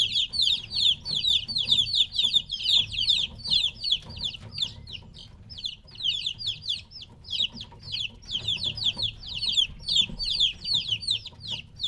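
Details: A flock of chicks about three weeks old, taken away from their mother hen, peep continuously: many shrill, falling chirps overlapping in quick succession, with a soft low background hum throughout.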